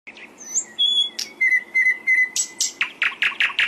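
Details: Hill blue flycatcher song used as a training recording for caged songbirds: thin high whistles and a sustained, slightly wavering whistled tone, broken by short sharp chips, ending in a quick series of bright, buzzy notes.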